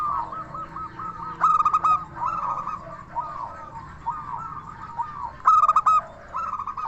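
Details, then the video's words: Zebra dove of a local strain giving its crystal-voiced song to draw answers from other doves; two strong bursts of clipped rapid coos with trailing notes, set against continuous softer dove cooing. "Perkutut Lokal Gacor SUARA KRISTAL Ahlinya Bikin Semua Burung Perkutut Langsung Nyaut"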